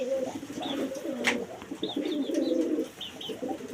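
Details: Domestic pigeons kept indoors cooing in low, rolling, repeated phrases, with soft higher chirps and scattered clicks and knocks around them.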